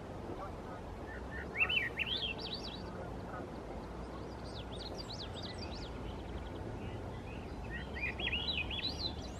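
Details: A Swainson's thrush in the Squamish River estuary, Canada, sings three flutelike phrases that spiral upward to a high finish, against a steady low rush of running water.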